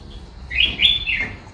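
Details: Red-whiskered bulbul singing in the local style called đá lân: one short, bright warbled phrase of quick rising and falling whistled notes lasting under a second, over a faint low hum.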